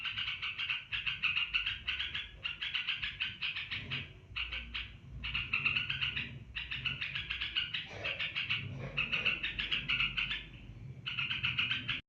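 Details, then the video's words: Long ngebren song of an olive-winged bulbul, locally merbah belukar: sustained runs of quick, scratchy, pulsed notes in back-to-back phrases with brief gaps, a few soft lower sounds in between. "merbah belukar ngebren panjang"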